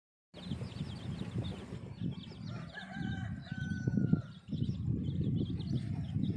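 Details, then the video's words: A brown and black hen with a peep of chicks outdoors, feeding them; thin high chicks' chirps repeat rapidly over heavy low rumbling and scratching, with a brief steady whistled tone in the middle. "chicks chirping sound"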